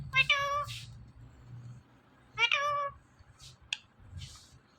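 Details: Talking pet parrot, an Indian ringneck, repeating the word "Mithu" in short harmonic nasal bursts, two main utterances about two seconds apart followed by softer squeaky notes; low room hum underneath.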